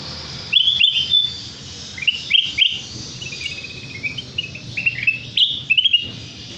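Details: Sooty-headed bulbul song used as a bird-catching lure: short bubbly whistled phrases, repeated rapidly with rising and falling notes in varied bursts, over a faint low background hum.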